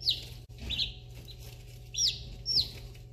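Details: Day-old chicks of a Polish Crested and Easter Egger mix peep in an Alaskan brooder in spring 2021; four sharp, high falling peeps stand out from a noisy background with a continuous low hum.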